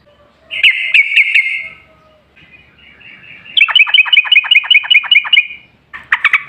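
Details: Yellow-vented bulbul song played as a lure to prompt other bulbuls to respond: a short buzzy trill, a pause with faint rasping, then a fast row of about a dozen bright clipped notes and a final burst of chatter.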